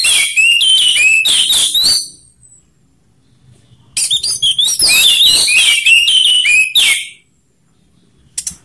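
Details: Orange-headed thrush song from a training recording mixing rough and slow styles: two long, fast strings of varied whistles, slurs and harsh notes divided by a silent pause, with a brief high note near the end.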